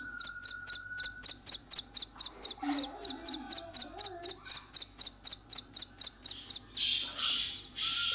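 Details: Black francolin (kala teetar) chicks calling: a rapid, regular series of short, high, sharp peeps, about four per second for six seconds, then a louder, broader burst of sound near the end.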